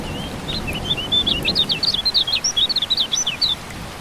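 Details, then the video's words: Kecial kuning (white-eye) in a rain-therapy recording to stimulate singing: soft opening notes quicken into a lively, high-pitched twitter of swooping chirps lasting about three seconds, with faint rain below. "Terapi Hujan Kecial Kuning Buat Burung Yang Macet Jadi Bunyi Gacor Joss"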